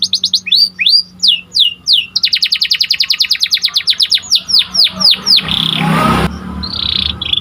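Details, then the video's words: Panda canary singing steadily for training other birds: sharp curved whistles, then a long fast run of evenly repeated notes, more slow downslurs, and a final harsh buzzy trill. "Kicauan Burung Kenari Panda Gacor"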